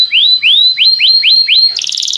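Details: Belgian canary song used to set other canaries singing: a string of clear rising whistled notes, evenly spaced, ending in a quick pulsing high trill.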